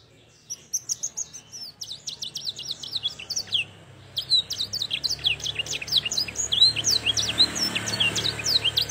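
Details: Young Yorkshire canary practising blackthroat-style song: clusters of thin, very high chirps and short sweeps, halting at first, then a denser run of twittering notes over a soft background hiss.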